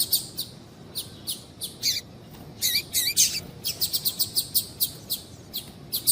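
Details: Female double-collared seedeater calling persistently to get a male singing: a dense series of short, high-pitched chips, some with downward-swooping tails, coming several per second with brief pauses.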